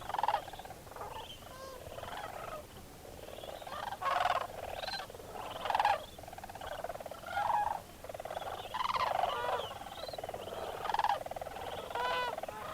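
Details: Large flock of wintering sandhill cranes at dawn, leaving their night roost on a frozen pond at Bosque del Apache National Wildlife Refuge; many rolling, trumpeting calls overlap in uneven bursts, some clearer individual calls standing out.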